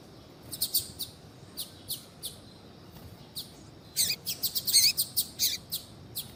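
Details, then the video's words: Female double-collared seedeater calling to stimulate a male to sing. Scattered high chirps lead into a dense, louder flurry of rapid notes, then trailing single calls. "FÊMEA DE COLEIRO CHAMANDO PARA ESQUENTAR COLEIRO TUI TUI"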